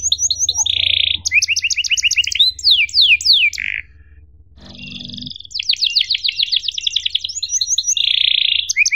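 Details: Canary singing long, cuit-cuit emosi style, as a tutor for young birds: rapid rattling trills, harsh buzzy bursts and sharp slurred notes, a short pause with a low rasp, then more fast trills and a buzzy note.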